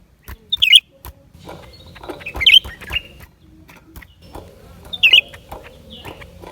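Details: Lesser green leafbird song, recorded January 2023: three short, bright, twisting whistled notes spaced about two seconds apart, with a faint whistled trill between them over a background of clicking and crackling.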